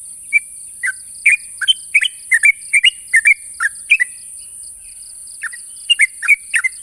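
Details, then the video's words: Sooty-headed bulbul calling to an opponent: quick runs of bubbly, gurgling notes, a pause near the middle, then a fresh burst, backed by a steady shrill hiss and faint insect-like pulsing. "suara burung trucuk memanggil lawan"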